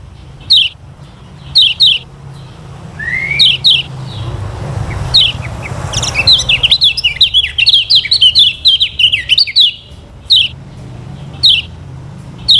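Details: Lemon-bellied white-eye from Lombok singing as a tutor for other birds: spaced high chip pairs, one rising slurred note, then a fast twittering run of descending notes before more spaced chips.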